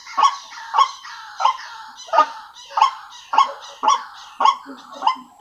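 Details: White-breasted waterhen call used as a lure to attract waterhens: harsh, nasal croaking notes, strong and evenly repeated about twice per second, with rich harmonics and no other clear sounds.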